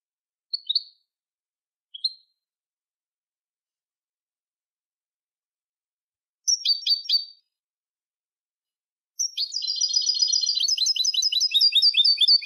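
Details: European goldfinch song meant for training young goldfinches; two brief sharp chirps, a short stuttering burst, then from about nine seconds a sustained rapid twittering run of high notes against a silent background.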